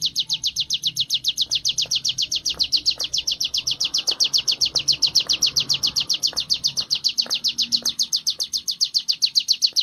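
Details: Sunda warbler (ciblek gunung) practising ngebren song in training: a continuous, unbroken rattle of high, thin, slightly falling notes, about eight per second throughout, over soft low background noise and occasional faint clicks.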